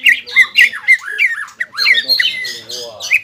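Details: Greater green leafbird in excited song: harsh, squawky downslurred notes alternating with brief whistles, delivered in quick irregular bursts.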